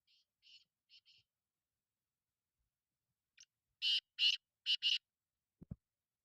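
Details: Black francolin, known locally as kala titer, calling: a faint opening run of short buzzy notes, a pause, then a loud phrase of five harsh, grating, broadband notes in quick rhythm, ending with a low thump.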